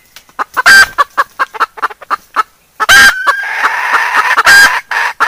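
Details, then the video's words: Hen and chicks calling back and forth to each other: rapid loud clucks in uneven bursts, several harsh drawn-out squawks, and a stretch of dense overlapping calling toward the end. "Suara ayam betina dan suara anak ayam bersahutan merdu"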